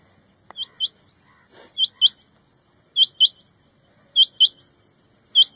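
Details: Quail calling in Punjab, a sharp high two-note call, each note rising, the pair repeated about every 1.2 seconds with faint soft sounds between.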